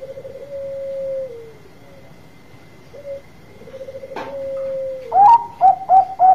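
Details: Zebra dove of the Bangkok type, kept as a big-voiced lure bird to prompt quick replies: drawn-out purring coos falling at the ends, a sharp click, then loud clipped staccato notes rising above a low coo; thin constant high tone behind.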